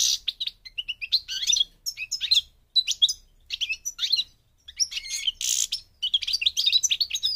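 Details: European goldfinch song from Morocco in North Africa, with quick bursts of liquid twitters, chips and sharp buzzy notes, broken by brief pauses, then a harsh rasping note before the twittering resumes.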